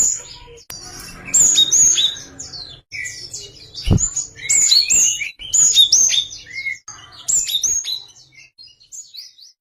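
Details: Java sparrow giving a busy run of high twittering chirps, clicks and short whistled notes almost without pause. A single low thud sounds midway.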